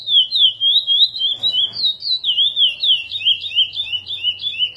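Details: Curió, or chestnut-bellied seed finch, in praia-style song prepared for encarte training: an unbroken stream of pure, high whistles that swoop and twist in quick linked phrases, with a brief soft rustling noise near the start.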